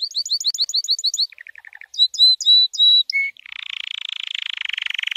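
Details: White canary training song: fast repeated high chirps, a soft low trill, bright flat whistles, then a long, even buzzy roll.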